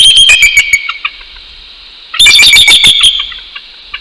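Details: Male and female bald eagles at a northeast Florida nest, calling together at 6:48 AM on 12 January 2019 to show their territory: two bouts of loud, high, piping chitters, each fading into a few spaced notes.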